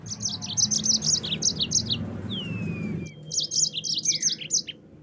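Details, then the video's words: Caged-bird tutor song of the yellow-fronted canary: a lively series of high chirped notes, a long descending whistle, then after a brief lull more clipped chirps in quick groups, with low background rumble. "Masteran Burung Mozambik Agar Bunyi 100% Langsung Ngerol"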